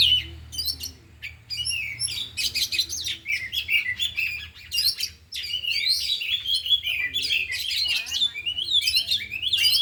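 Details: Afternoon practice of four oriental magpie-robins, all singing and delivering their learned fill-in phrases: bursts of sharp clicks and chips at first, then a continuous tangle of warbled whistles, slurred sweeps and rattles with a faint background drone.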